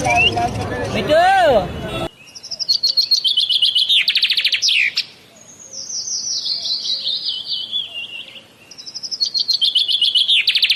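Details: Common myna, known locally as shalik, from Bangladesh: a brief burst of human speech, then rapid high chattering notes and a long, buzzy, descending warbled run, ending in quick repeated clicks and chips.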